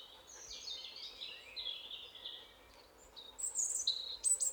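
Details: European robin in forest in the breeding season, singing to mark territory: descending, tumbling liquid notes, then louder piercing high whistles and trills, as if a closer bird answers.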